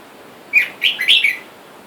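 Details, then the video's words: Red-whiskered bulbul, from a scene of a caged wild-caught male and female with wild birds calling for a mate outside: a short bubbly phrase of four clipped, warbled whistles rising and falling around the middle pitch, in quiet surroundings. "นกกรงหัวจุกป่า ผู้ เมีย ในกรง และเสียงนกป่าเรียกคู่อยุ่ด้านนอก"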